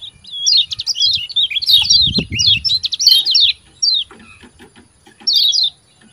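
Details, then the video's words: Yellow white-eye (kecial kuning) in lively 'ciak ciak' singing, used to train and provoke lazy caged birds to sing: rapid high twittering run of falling chirps, then a pause and a short later burst, with a brief low rumble. "CIAK CIAK JOS KECIAL KUNING GACOR PANCINGAN KECIAL MALAS BUNYI RAJIN JOS GACOR"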